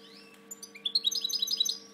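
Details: European goldfinch kept as a breeding bird, singing indoors: a thin opening whistle, then a rapid jangle of bright twittered notes, with a constant low mains hum underneath.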